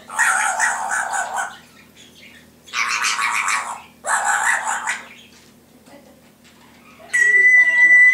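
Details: Pet Timneh African grey parrot mimicking household sounds indoors; three long harsh rasping bursts, then a steady pure whistled tone held for about a second.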